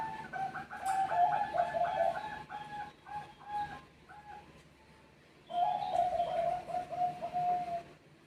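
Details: Zebra dove of the Perkutut Bangkok type, birds calling back and forth. Two bursts of quick, evenly repeated mid-pitched cooing notes with bright overtones, the first fading out, then a quiet pause before the second, over soft background hiss.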